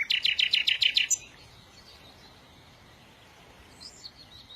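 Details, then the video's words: Bird song: a rapid series of about eight sharp, high chirped notes lasting roughly a second, then near silence with a few faint high notes near the end. "إذا كنت تعشق سماع تغريد العصافير"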